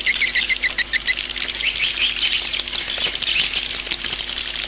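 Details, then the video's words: Swiftlet lure call used to attract swiftlets: a row of short bright chirps, then continuous high twittering chatter throughout. "Suara burung walet panggil"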